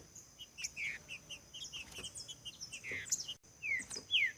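Green-winged saltator singing: a quick run of short chirped notes, then loud slurred whistles falling in pitch. A thin high steady tone runs behind.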